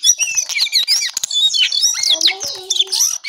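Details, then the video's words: ['Short burst of brown songlark morning song, crowded high chirps sliding into clear descending whistles and a few lower warbling notes.'] "Jongkangan/cingcoang coklat Gacor Pagi Sekali"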